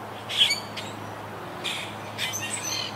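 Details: Wild Quaker parakeets from a colony that lost about half its birds to Hurricane Irma in 2017: a loud harsh squawk, then softer rasping calls trailing off, over a steady low hum.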